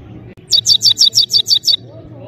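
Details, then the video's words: Powerful goldfinch song: eight sharp, high, ringing notes repeated rapidly at an even pace, over a soft low background hum. "Just crazy gold finch singing"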